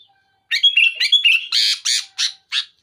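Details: Sooty-headed bulbul singing loudly to pressure a rival: a faint note, then half a second of silence, then bubbly whistled phrases that give way to four harsh, rasping bursts spaced about a third of a second apart.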